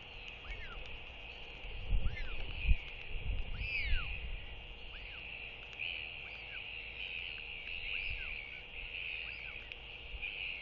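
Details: Northern royal albatross chick begging while a parent, possibly its mother, arrives to feed it at the nest on an early foggy morning. Series of arched, rising-then-falling whistled wheeing calls in quick bursts, over a steady hum and low thumping rumbles.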